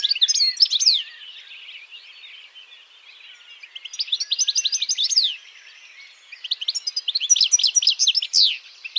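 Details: European goldfinch singing in two bursts of rapid, tinkling twittered phrases high in pitch, with liquid trills and quick downslurred notes, separated by a quiet gap with faint background hiss.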